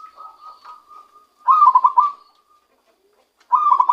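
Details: Zebra dove trapped by luring, starting to sing naturally: soft low coos at first, then two loud rolling phrases of rapid pulsed notes, each followed by a short drawn-out tail, about two seconds apart.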